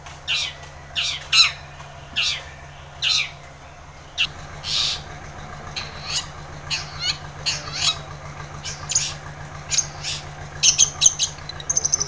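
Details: Long-tailed shrike singing energetically as a lure for a silent shrike: rough squawks early on give way to a busy stream of chattering, clicking and thin high whistled notes, with a steady low hum in the background.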